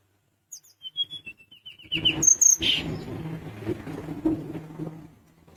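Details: Sunda minivet singing actively to stir rivals into calling: a string of thin, high, down-slurred whistles repeated quickly, then sharper high chirps over a background of low rustling noise.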